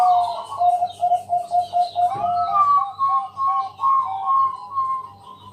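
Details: {'caption': 'Night lure song of a Bangkok zebra dove, meant to invite other doves to sing. It is a continuous run of quick coo notes followed by a rising, warbling phrase. A steady hum and background hiss accompany it.'}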